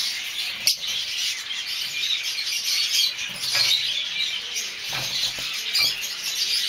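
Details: Masked lovebirds of several colour varieties (mauve, olive, cobalt, dark-factor violet) call at once in a dense wash of shrill, high chirps and squeaks, with a sharp knock near the start.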